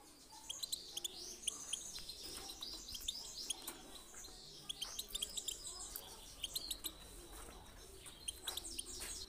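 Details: Lively European goldfinch song used to get birds singing: a bright, unbroken chatter of high tinkling notes, quick chirps and rolling trills, with several voices seemingly overlapping.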